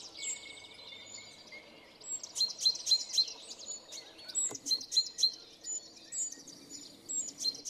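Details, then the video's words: Great tit in Shipov Forest, Voronezh region, giving its energetic spring song, unlike its February–March tinkling: high, bright chirps and quick repeated notes, several a second in lively bursts, over a faint hum. "Песня синички"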